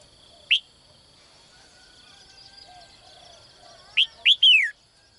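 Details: Caged female bird calling at morning to attract a strong male; one lone rising chirp, a quiet gap, then the full phrase of two upswept chirps and a long falling whistle.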